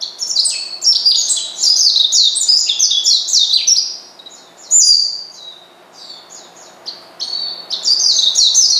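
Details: An Oriental white-eye calls to make a rival angry. A long, fast run of sharp, high chirping notes comes first, then sparser scattered twitters after a short lull.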